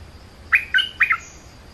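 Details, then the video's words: A bulbul delivers three clipped, chirpy notes in under a second, each a short rising-and-falling warble, with quiet hiss behind. "Suara pikit merbar likir gacor"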